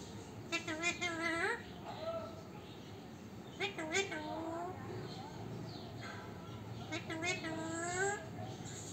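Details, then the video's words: Talking parrot saying "Mithu beta", producing short, speech-like phrases with wavering, nasal tones in bursts separated by pauses, over a quiet background hiss. "Parrot Bola Mithu Bete"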